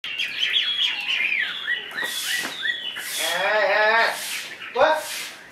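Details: Caged Chinese hwamei singing a varied, rich phrase: quick whistled slurs and falling notes, then a buzzy, rolling harmonic passage and a sharp downswept note, with loud broadband bursts of noise in between.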